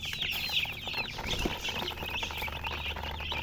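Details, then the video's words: Silly colour chickens chirping: a dense, continuous chorus of high, rapid peeps overlapping without pause, with a few louder chirps standing out near the start and around the middle. "silly chicken chirping sounds"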